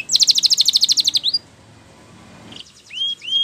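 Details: Spanish Timbrado canary training song: a bright, fast pulsing trill of about a dozen notes, a pause of soft background hiss, then two short rising whistled notes.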